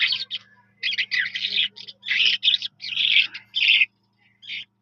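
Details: Jal Mashadi skylark pouring out quick, jumbled, high warbling phrases in a tight sequence, then trailing off to one last short note, over a faint hum.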